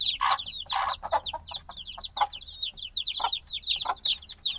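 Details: Several black newly hatched chicks a few days old cheeping loudly together: a steady stream of shrill falling peeps, interrupted by frequent soft thuds and scratching sounds from movement.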